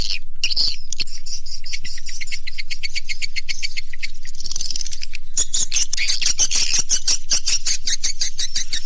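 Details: Swiftlet lure call meant to draw swiftlets: a fast, steady train of dry clicks with high chirps over it, becoming louder and denser halfway through.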